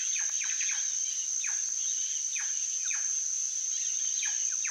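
Plush-crested jay gives quick, falling notes, often in pairs, every second or so, over a steady high insect drone.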